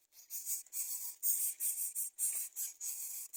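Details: Greater coucal chicks, refusing to eat fish, give harsh, hissing rasps in quick bursts, about three per second, with no other clear sounds.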